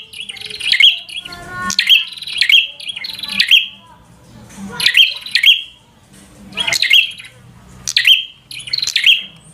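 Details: A bar-winged prinia sings full 'gacor' fighter song to stir an opponent to fight: bursts of shrill, buzzy chirps in twos and threes, interrupted by brief noisy rustles.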